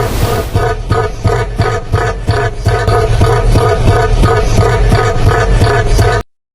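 Loud, bass-heavy music with a steady pulsing beat plays throughout, and no animal voice can be picked out.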